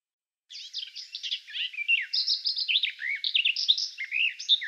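A Eurasian blackcap sings a fast, continuous warble of varied scratchy and clear notes, tumbling up and down in pitch for about four seconds after a brief silence.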